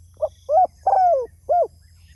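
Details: Single cooing phrase from a spotted dove calling to others: quick faint opening note, a mellow coo, a long sliding coo that drops in pitch, and a final shorter coo, steady low hum behind.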